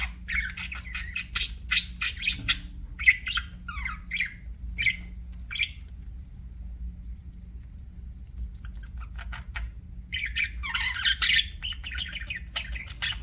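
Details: Budgies giving rapid scratchy chirps and short warbles for several seconds, then falling quiet, before a louder rasping burst of chatter returns; a steady low hum sits underneath.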